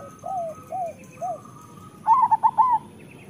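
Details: Local zebra dove (perkutut) singing for training other doves: three soft, lower single coos, then a loud rapid phrase of four bubbling, rising-falling coos. A faint hum is in the background.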